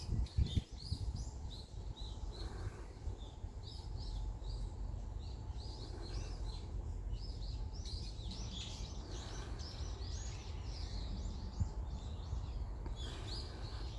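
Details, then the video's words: Birds in Jeju, South Korea, heard outdoors on a walk: dense, high chirps and short twittering notes repeated throughout, with several birds overlapping, over a steady low rumble of wind. "새소리, 바람소리"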